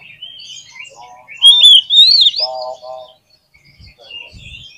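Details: Oriental magpie-robin in lively song, aimed at testing the mental strength of other magpie-robins: a loud, wavering whistled phrase with rapid buzzy lower notes beneath, then quiet chirps and faint low thumps.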